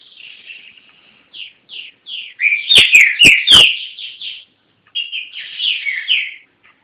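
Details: Owned green-winged saltator from Garça, São Paulo, Brazil, singing a series of short whistled, slurred notes, some rising and some falling, in quick phrases with a brief pause before a final burst; several sharp clicks cut through the middle.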